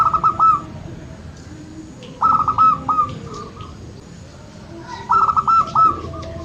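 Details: Local zebra dove song meant to coax reluctant birds into calling: three phrases of clipped, rolling coos, each finishing on a longer note, separated by quieter gaps of low background noise.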